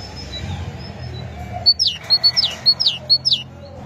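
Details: Great tit song starting after a quiet lead-in: a rhythmic series of high notes alternating a level whistle with a falling slur, about nine notes, over low steady background noise.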